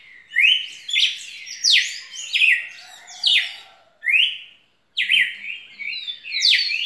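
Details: Red-cowled cardinal in full song, loud whistled phrases rising and falling repeated almost every second, a brief silence, then more varied notes.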